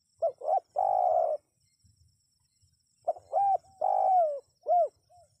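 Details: Calling spotted dove, used to lure wild birds into replying. Two low phrases of paired short hoots and a long buzzy coo, the second coo sliding slightly downward, then a final arched hoot and a faint soft note.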